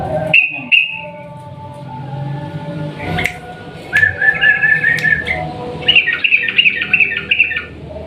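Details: Sooty-headed bulbul singing in the 'ropel panjang' long rapid style, a lure meant to make a silent bulbul join in: brief whistled notes, then two bursts of quick, bubbling trills over a steady low hum.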